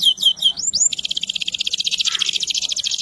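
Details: Canary of the AFS type, a vigorous singer kept as a songbird, delivering high whistled sweeping notes and then a fast, even trill of rapid repeated buzzy pulses, bright and continuous, with faint low background hum.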